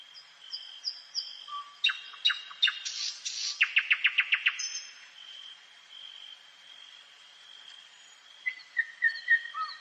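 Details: Common nightingale singing at night in a forest: whistled notes, then a burst of rapid repeated clicking strokes and a fast trill of about eight notes, ending with falling whistles, over a steady high background tone.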